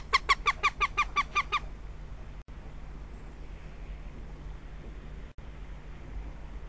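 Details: Northern goshawk in Riga on 15 February 2017, paying repeated visits, gives a rapid run of about eight harsh, evenly spaced kek notes, followed by a quiet hiss of background noise.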